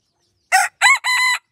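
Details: A rooster used as a decoy, pradu in colour, from Roi Et, Thailand, gives three loud harmonic bursts of a crow, the last long and steady.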